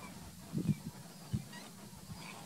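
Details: Greater flamingos at the lagoons of Alcázar de San Juan, Ciudad Real, Spain, in June 2021; low, goose-like honking notes, a pair and then a single, over a steady low murmur of background noise.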